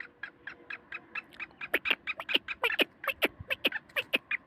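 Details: Black francolin calling in Sindh, Pakistan: a fast train of harsh, clipped notes, about two per second, in overlapping series that grow louder and sharper toward the end.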